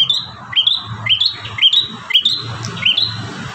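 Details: Energetic bar-winged prinia song used to tutor caged birds: crisp, rising two-part chirps repeated evenly about twice a second, each note sliding sharply upward, with faint low rumble underneath.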